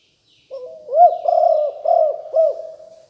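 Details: Spotted dove of the fierce Liu Tan strain, recorded in 2021 as a lure for wild doves. A soft lead-in note is followed by four evenly paced, throaty coos.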